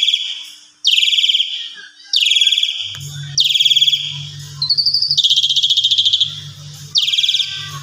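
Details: Asian pied starling sound used to provoke other starlings: loud harsh buzzy downslurred bursts spaced about a second apart, one longer rising buzzy phrase, low hum beneath the later part.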